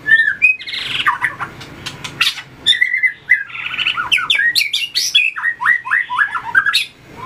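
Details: Contest-style fighting song of a white-rumped shama with tail flicking and perch hopping: fast, varied whistled notes, many downslurred and looping, in lively strings with scattered snapping clicks.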